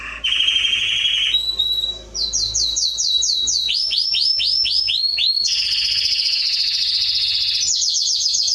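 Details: Atlantic canary song made for training young birds: a low rolling trill, then runs of rapid repeated downslurred notes at two pitches, a long buzzy trill and a final quick high series.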